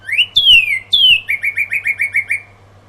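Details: Dawn song of a northern cardinal: two bright down-slurred whistles, then a quick run of roughly eight short whistled notes repeated evenly, loud and clear over a faint steady low hum.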